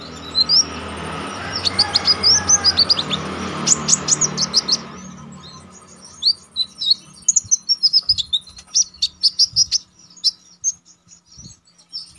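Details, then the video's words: Konin used to train contest songbirds, singing continuously with sharp notes: quick high chips and rising whistles over low background noise, then after a brief lull a long run of crisp, rapidly repeated high notes. "Konin damer gacor ngalas nembak tajam"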